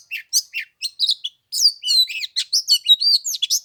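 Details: Oriental magpie-robin in cold 15-degree weather at Lunar New Year, delivering quick varied phrases: sharp chirps first, then after a short gap a dense run of sweet whistles and slurred notes.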